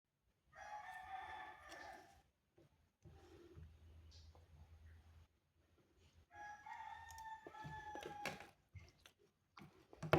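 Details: Rooster crowing on a cool morning: two drawn-out, harmonic crows, the second rising and wavering, separated by a stretch of low rumbling background noise with a few clicks.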